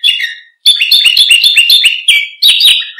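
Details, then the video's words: Canary song meant to coax and train other birds: a short whistle, a pause, then a rapid rattling trill of bright notes and two sweeping whistled phrases. "Suara Kicau Burung KENARI Untuk Pancingan Dan Masteran"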